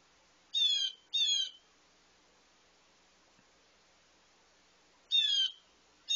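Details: A very loud blue jay screaming as it nears a feeder at breakfast: harsh, nasal, buzzy screams, two in quick succession, then a long quiet gap before another, with a fourth starting at the end. Background otherwise still.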